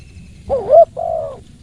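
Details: Close spotted dove coo: a wavering, bubbling first note rising in pitch, then a steady, flat, mellow second note, soft and hollow in tone.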